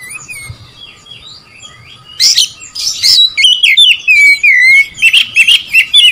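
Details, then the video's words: Oriental magpie-robin song used to provoke rival birds: a faint, quiet opening, then after two seconds a loud burst of varied whistled and chattering phrases, with sharp notes and rising-falling slurs repeated rapidly. "memancing emosi Kacer lawan"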